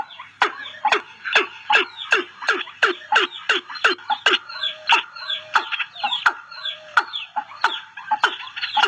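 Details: A watercock call, apparently a recording used as a trapping lure, plays hollow, booming notes in a steady series, about two a second. The notes sound thin and harsh, as if played through a small speaker.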